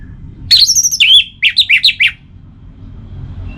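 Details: Orange-headed Thrush in captivity, its song played to spur other kept birds to sing: a high, loud burst of slurred notes followed by five evenly spaced descending whistles, then quiet with low background hum.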